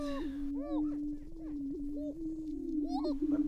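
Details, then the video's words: Greater prairie-chickens fighting and displaying on a Minnesota lek in April: a smooth low hooting drone continues throughout, with a few separate rising-falling whoops and a burst of cackling near the end. "Greater Prairie Chicken Lek"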